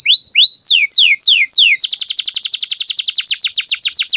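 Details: Canary singing to teach young canaries, a few sweeping whistled notes leading into a fast even trill of repeated descending notes.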